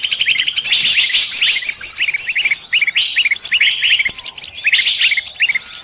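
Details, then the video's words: Lure recording meant to draw in birds of all kinds for trapping: a dense, overlapping chorus of many birds, with high chattering trills and rapid repeated chirps running almost without pause, plus short bursts of quick notes. "Pikat burung semua jenis terampuhhh"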